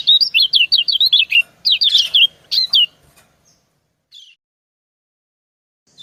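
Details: Calling exchange between female and male white-eyes: about three seconds of rapid high twittering notes in short bursts, then near silence broken by one faint chirp and a final note.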